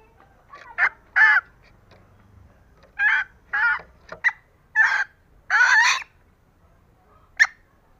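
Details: Female green junglefowl calling to lure lazy males into crowing: irregular, raspy honks and brief squawks scattered over several seconds, some doubled, with pauses between them and a little low background noise.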